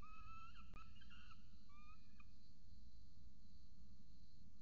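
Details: A peregrine falcon nest in Orange, Australia, with chick and mother, seen by nest camera: a few wavering, whiny calls in the first two seconds, then only steady electrical hum.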